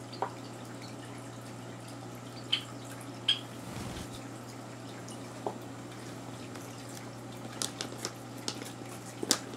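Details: Indoors, scattered water drips and small taps sound over a low electrical hum, with no animal voice.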